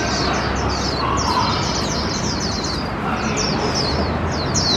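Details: Hand-raised caged warbling white-eye, one year eight months old, on its first 2021 park outing beside an outdoor glove-puppet opera. Rapid high chirping phrases come in bursts with a short pause midway, over loud, steady crowd and performance noise.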